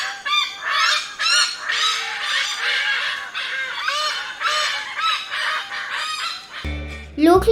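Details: Malabar pied hornbills in Sri Lanka give a loud chorus of harsh, nasal cackles, quick overlapping notes for about six seconds, followed by a short burst of music at the end.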